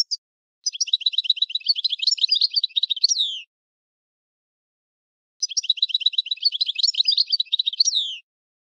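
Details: European goldfinch song in two near-identical phrases: each is a three-second run of rapid, tinkling twitters and trills that ends in a downslurred note, with a two-second pause between them.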